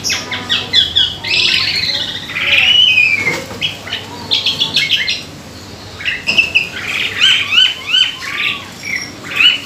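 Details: Jalak suren, the Asian pied starling, in a lure recording meant to trigger singing: varied whistles, squeaky slurred notes and rattling chatter, loud and mixed, with a few quiet pauses.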